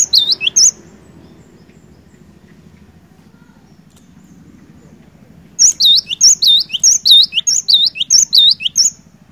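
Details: Cinereous tit singing energetically to spur a lazy bird into song: a short burst of high, ringing two-note phrases, a long pause with a low steady hum, then a longer run of about ten quick repeated phrases.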